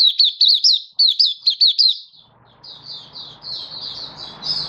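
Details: Malaysian white-eye in Singapore on a warm, sunny 20 March 2023, singing 'buka': two quick runs of sharp looping whistles, then quieter sustained twittering over rising background hiss.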